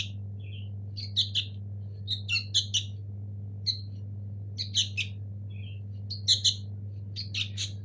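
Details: Nestling sooty-headed bulbuls, local birds, give sparse harsh chirps and a few soft squeaks, spaced irregularly over a constant low hum.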